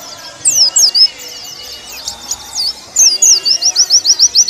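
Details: Caged-bird training song of a warbling white-eye: a few high swooping whistles, a stretch of soft mixed twittering, then a fast series of thin, repeated high notes.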